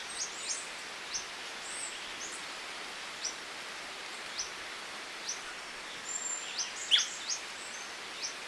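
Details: Hook-billed Hermit (Glaucis dohrnii) recorded at Santa Maria do Salto, Minas Gerais, Brazil, giving faint, very high, thin chips at an uneven pace, a few every second or so, over a steady hiss of forest background.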